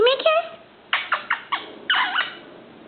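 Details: Young male Indian ringneck parakeet, five months old, kept as a pet and starting to talk and whistle. It opens with a rising whistled note, then gives a run of short harsh bursts and a longer warbling, speech-like phrase indoors.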